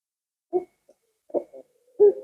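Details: Barbary dove giving three short, low, hooting coo notes spaced about a second apart, with a faint quieter note between the first two, against a silent background.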